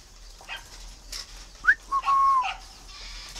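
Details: Tame male Chinese francolin kept in captivity in Vietnam, calling in winter: a quick rising note, then a short note and a longer, even whistle that tails downward, with soft rustles before.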